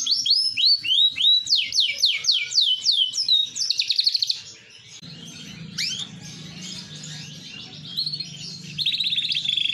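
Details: AFS big-size canary with green plumage, singing a fast series of high, downward-sweeping whistled notes about three per second, then a buzzy trill, a quieter pause with low hum, and a high rattling trill to finish.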